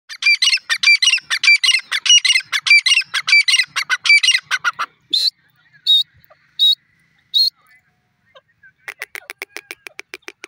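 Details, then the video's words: Grey francolin calling: rapid, bright, harsh notes repeated in dense bursts for about five seconds, then a few separate loud notes and a faster train of softer ticks toward the end. "bird teeter grey francolin sound"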